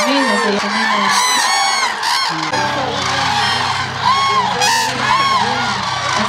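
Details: A large flock of Common Cranes at Agamon Hula, Hula Valley, Israel, a migration stopover on the way to Africa, gives loud, rolling, overlapping trumpeting bugles while a man talks steadily; a trio of two adults and an offspring is nearby.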